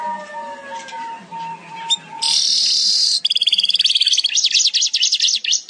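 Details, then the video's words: Weaver singing energetically in gacor style: soft low whistled notes open, then a loud one-second sizzling buzz, followed by a fast, chattering trill of wavering high notes. "Burung Manyar gacor"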